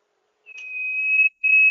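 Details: Sirtu lure call for rice-field trapping: a clear, high, level trill that grows steadily louder, breaks briefly, then resumes at full strength.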